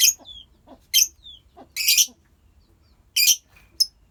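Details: Several lovebirds in a colony: loud rasping shrieks about once a second, mixed with brief thin whistled notes and softer twitters.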